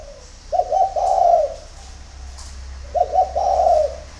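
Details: Spotted dove at a Ba Vì, Hanoi dove farm in Vietnam, early morning: two coo phrases, each made of three quick stuttered notes and then a sustained, throaty rolling note.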